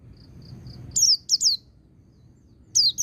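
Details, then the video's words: High, falling chirps from a white-eye singing the ngecir-ngalas style for training other birds: faint soft peeps first, then three loud sliding notes and a final pair after a short gap. "Suara Burung Pleci Ngecir Sambung Ngalas"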